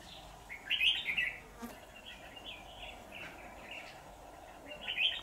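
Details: Trapping-day song from a slender, shrimp-backed red-whiskered bulbul decoy calling in wild rivals, 23 September 2019: bursts of bright, chattering warbles, a loud one near the start, several softer phrases, and another strong burst at the end.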